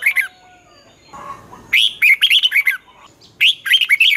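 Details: Red-whiskered bulbul in competitive morning song, 'giọng xoắn' twisted voice used to train young birds: three quick, lilting phrases of sharp whistled notes, with a brief soft rustle between.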